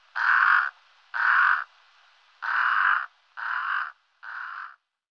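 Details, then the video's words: Brown-necked raven uttering five coarse, croaking caws at roughly one-second intervals, the last ones gradually softer, with little else audible. "BIRDS VOICE : The brown necked raven"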